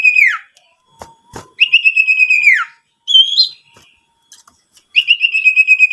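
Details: Owlet lure call to stir other owlets into calling. Repeated pulsed, whistled trills that drop off at the end, a shorter higher rising phrase in between, and scattered clicks.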